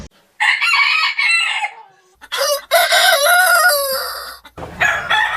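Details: Rooster crowing at a chicken farm, one of many different roosters: a long harmonic crow rising then falling away, followed by a second, louder, wavering crow, then another starting at the end.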